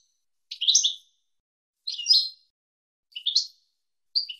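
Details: Goldfinch song recorded in the 2022 season as a tutor for young birds: four brief, high, liquid twittering bursts, each roughly half a second long, spaced about a second apart in a quiet, clean recording.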